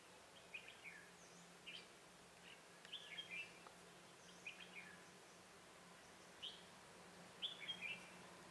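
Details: Red-whiskered bulbul used as a decoy, singing to lure wild bulbuls into a trap; faint, quick chirpy warbled phrases, high-pitched, roughly one every second, over a steady low hum and soft background hiss.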